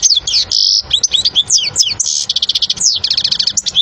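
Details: European goldfinch song for teaching young birds: continuous fast twitter mixing sliding whistled notes, buzzy trills and rapid clipped chips, steady and loud throughout.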